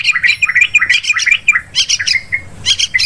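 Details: Yellow-vented bulbul lure sound for bird hunting: quick run of bubbly, slurred chirps, closely spaced and irregular, ending in a few brighter squeaky notes.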